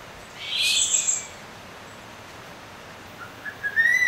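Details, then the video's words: Crested serpent eagle (Spilornis cheela), a forest raptor of tropical Asia, gives a harsh, hissing high burst, then a few short rising whistled notes that build at the end. "Crested Serpent Eagle | Crested Serpent Sound"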